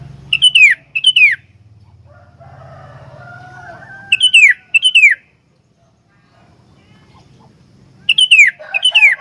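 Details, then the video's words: Energetic sooty-headed bulbul song, used to draw and train other bulbuls: paired bursts of loud, bubbly, downward-sweeping phrases repeated about every four seconds, with a soft low hum and a faint level tone in the pauses. "BURUNG KUTILANG SUPER GACOR ISIAN, COCOK BUAT PANCINGAN/MASTERAN KUTILANG LAIN"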